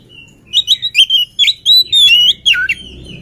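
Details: Unfed lively oriental magpie-robin giving a short burst of song: several sweet whistled notes and chirps, one long held note, ending with a sharp downward-swooping whistle; faint low background hum.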